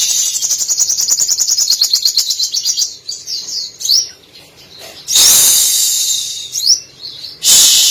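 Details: Brown-throated Sunbird, called sogok ontong, in active song packed with mimicked canary, cililin, sparrow and lovebird phrases. A long, fast, even volley of high chirps, then upward-slurred whistles separated by loud bursts of hiss.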